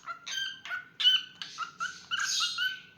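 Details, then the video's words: Singing pet cockatiel giving a handful of clear whistled syllables with rich overtones, some sliding slightly, ending in a harsher, noisier chirp; a faint low hum underneath. "Adorable Cockatiel Milo's Cute Singing Moments"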